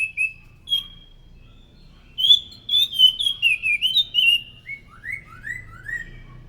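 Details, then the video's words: Loud scaly thrush song for luring thrushes: a few opening whistles, then a fast run of warbled notes, finishing with a series of upward-sweeping whistles repeated about four times. "PANCINGAN BUNYI BURUNG ANIS SANGAT EFEKTIF, SUARA ASLI ANIS MACAN GACOR TEMBAKAN SUARA NYARING!"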